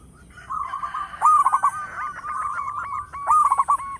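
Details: Loud local zebra dove used to lure other birds: a soft murmur runs into bursts of rapid hooked cooing notes, rolling and stuttered, in two main bouts.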